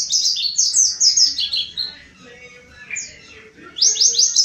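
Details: A mountain white-eye lure song opens with a dense run of quick descending chirps, drops to near silence with a lone high note, then resumes with another fast, bright flurry.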